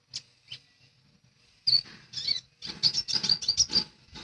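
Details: Lesser green leafbird singing vigorously: a couple of isolated high chirps, then a dense, loud run of sharp high twittering notes repeated quickly, with some rustling underneath.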